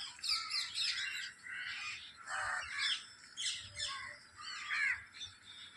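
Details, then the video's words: Parrots in a flock chorus give a steady stream of rasping squawks and shrill chattering notes, with several birds overlapping and surging in short bursts roughly every two seconds. "Flock of Parrots' Cute Sounds Short &Sweet Bird Chorus"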